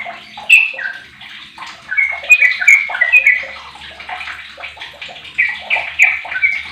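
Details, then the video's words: Song of a 15-year-old sooty-headed bulbul kept as a lure to get other bulbuls singing. Rapid gurgling chatter of liquid, warbled notes, louder clear phrases near the start and again toward the end. "Trucuk Apapun 100 persen gacor dengan pancingan trucuk umur 15th ni"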